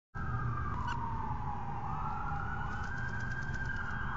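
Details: A long wailing siren slowly sweeps down and then up in pitch over steady background rumble; no animal sound is heard.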